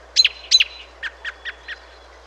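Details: American robin in fall or winter: two sharp, high clipped notes followed by four softer, lower chuck-like notes spaced about a quarter second apart, with faint low hum beneath.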